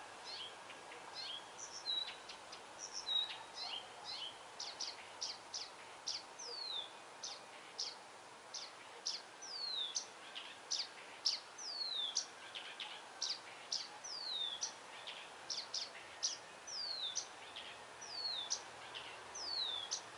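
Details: Blyth's reed warbler song delivered as a long continuous string of sharp high notes, many steeply falling slurs and clicking ticks repeated in brisk series for twenty seconds, with faint steady background hiss.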